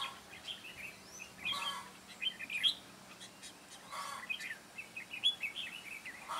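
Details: Red-whiskered bulbul kept as a trapping decoy, 9 June 2017, singing to attract wild birds; clusters of quick, bright chirping notes come in uneven bursts over a quiet background.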